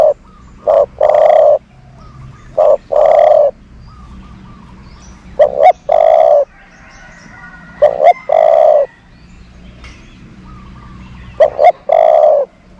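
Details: Dove kept as a decoy bird for luring doves gives repeated cooing phrases, each a pair of short notes followed by a longer steady coo, five phrases spaced roughly every two to three seconds, with faint distant chirps behind.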